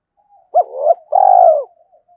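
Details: Spotted dove used as a decoy, voice style 'giọng thổ', cooing to attract wild doves: one clean phrase of a curled opening note, a rising mid coo, and a sustained deep final coo, with quiet surroundings.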